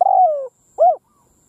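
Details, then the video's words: Decoy spotted dove calling across a field to draw in wild doves: a long rolled coo sliding downward, followed by a short arched coo, in a quiet setting. "Tiếng cu mồi đất gù gáy vang dội cánh đồng / Cu mồi đất gù phóng - Gáy chiêu Bổi giữa cánh đồng"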